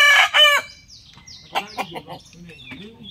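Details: Rooster of an exotic chicken breed crowing in the morning: a loud, harsh, two-part harmonic cry lasting about half a second, followed by short broken clucks and faint chirps from other birds.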